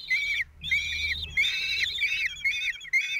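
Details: Common kestrel father feeding four 16-day-old chicks at a nest in Théding, France, June 26, 2023: loud, level, whistled whining calls of about half a second, repeated in quick succession with short breaks.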